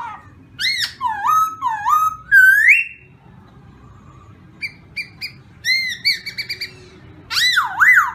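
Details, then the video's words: Black-throated laughingthrush song of varied whistles: looping rising-falling notes, a long rising slur, then quiet, then short clipped repeated notes and a final pair of loud swooping whistles. "chim khướu mun hót hay poksay"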